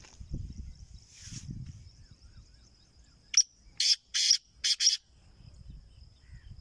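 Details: Kala teetar, a black francolin kept for sale, calls once with a rapid series of five short rasping notes after quieter rustling, while a constant high-pitched tone hums underneath.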